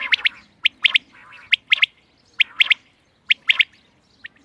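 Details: Rhythmic quail call dated 31 March 2024: crisp triple-note phrases repeated about every 0.8 seconds, clean and loud against a quiet background.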